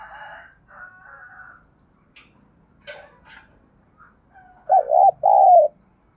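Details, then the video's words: Spotted dove 'thúc gù' cooing used to draw wild doves: scattered faint coos, clicks and brief chirps first, then two loud, round coos close together near the end, the latter longer and sinking in pitch. "cu gáy thúc gù sung nhất// Tiếng cu gáy cực hay dùng kích bổi tập mồi thì khỏi bàn"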